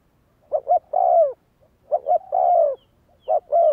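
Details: Spotted dove cooing, used to train decoy birds: a clean phrase of two quick short coos followed by a long, slightly falling coo, repeated about every 1.4 seconds with near silence between.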